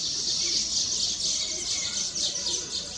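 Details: Weaver birds singing on their nests, celebrating completion of the nests; a dense, continuous high chattering chorus of many overlapping chirps, with faint low background rumble.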